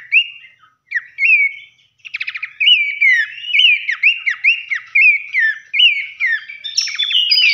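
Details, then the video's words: Babbler song used as a lure so that other babblers start singing: lively whistled phrases, each note swooping up then down, mixed with short dry rattling bursts and high thin notes. "pancingan Dasyat sekali dengar pelanduk semak manapun gacor seketika"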